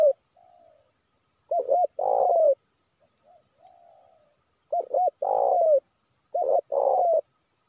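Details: Spotted dove coos played to attract wild birds: three phrases of double short notes plus an extended grating coo, interspersed with faint, gentle lower coos, otherwise quiet.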